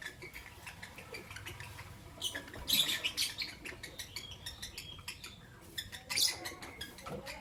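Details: Albino and Euwing green opaline lovebirds chirping in the morning: rapid harsh high chirps and squeaky chatter from several caged birds over a low background hum.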